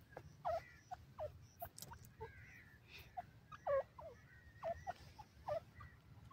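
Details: Female grey francolin, known as dakhni teetar, gives a series of short, sharp notes with quick rising and falling sweeps. They come roughly every half second to a second, with faint scratchy sounds and a low background hum.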